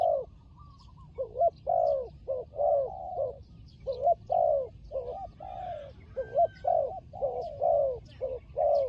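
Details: Turtle dove coos during fighting, Cambodia, trapping setting: a busy sequence of deep hollow notes, some short and clipped, others swelling and bending down, over faint chirping of other birds.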